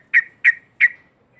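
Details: Loud 'ngekek' song of a sooty-headed bulbul, used to rile other bulbuls: three strong, sharp, slightly trailing notes evenly spaced about a third of a second apart, then silence.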